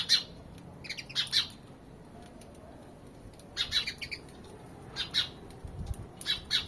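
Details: House sparrows chirping, short bright chirps in clusters of two or three, bursts near the start, around three and a half seconds, five seconds and the end, with quiet gaps between.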